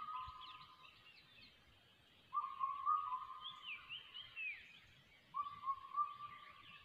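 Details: Crested hawk-eagle chick in ATR forest giving long, flat, steady whistled notes about a second each, repeated every few seconds, while other birds twitter higher over a constant background hiss.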